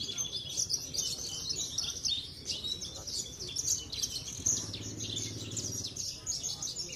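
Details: Caged parva Javan bush lark from Cilacap, a frequent singing-contest champion, keeps up rapid high chirping and trilled phrases while a man's voice speaks beneath the song partway through.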